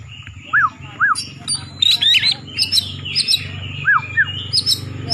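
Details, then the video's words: Oriental magpie-robin of the poci type singing in competition to provoke rivals: quick high chips and whistled flourishes, with lower arched whistles from other birds and a steady low hum behind. "Kacer Poci Nembak Ngeplong Gacor Ngobra Bikin Lawan Emosi"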